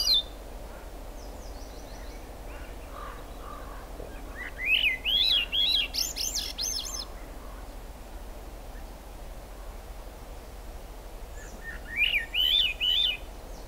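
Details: In the Squamish Estuary rain on July 6, 2022, a Swainson's thrush delivers two spiralling, fluty songs that rise in a stepwise climb, separated by about seven seconds of quiet with steady rain hiss.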